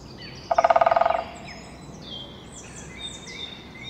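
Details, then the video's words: A Pileated Woodpecker drums on a tree, a fast, resonant roll of about fourteen beats in under a second that fades toward the end; faint songbirds sing in the background. "Pileated Woodpecker Playing Drum On Tree"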